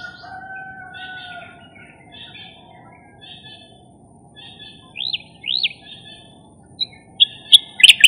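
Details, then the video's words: Striated grassbird calls beside the Marikina River on 20 March 2022: sharp, high chirps and a pair of quick rising-falling whistled notes, with a steady hum of background noise. "Calls of Striated Grassbirds"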